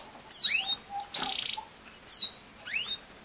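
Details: Canary song played to a young male canary kept in his own cage apart from his parents, so he copies it and starts singing: sharp high whistled slurs, a short buzzy rapid trill, then further sweeping whistled notes in brief phrases.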